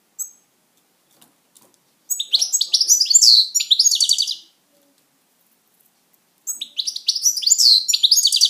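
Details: A pet European goldfinch kept indoors sings two bursts of rapid, tinkling, twittering notes, high and jumbled, separated by a four-second pause; a faint short chirp comes first.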